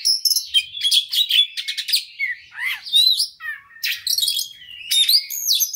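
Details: Fighter-style Oriental magpie-robin singing insistently, a lure song meant to spur other birds on: dense chatter, scratchy trills and swooping whistles that dip low then climb sharply, continuous and energetic.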